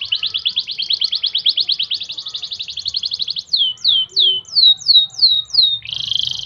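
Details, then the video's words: Canary song in the showy gobat-gabet style, used as a tutor recording played daily to get birds singing: a fast rolling trill of about twenty buzzy notes, then seven clear downslurred whistles, ending in a brief harsh buzz. "MASTERAN KENARI MEWAH GAYA GOBAT GABET"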